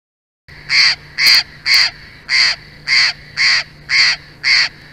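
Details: Bald eagle at a nest in Big Bear Valley, home of a mated pair, giving a series of about nine high, harmonic piping notes, each roughly 0.3 seconds long and spaced evenly around twice a second, over a faint steady low hum.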